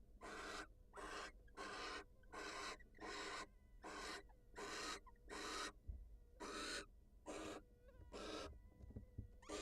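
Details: Wild barn owls as the female leaves the nest to greet her mate: a long series of rapid, raspy hissing screeches, over a dozen bursts, irregularly spaced with brief gaps, and a thud midway.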